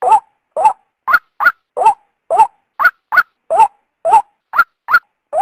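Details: White-breasted waterhen female giving a call meant to draw the male from cover: a rapid chain of short, harsh croaking notes that jump between two pitches, about two or three per second, with no other sounds.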